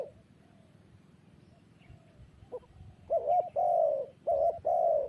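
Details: Spotted dove cooing: after about three seconds of near-quiet background, a burst of four low, husky cooing notes, the last two drawn out and steady, with a short gap before the final coo.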